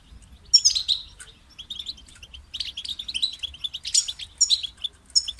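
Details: European goldfinch song opening with scattered chirps, then building into quick tinkling bursts and twittered trills toward the end.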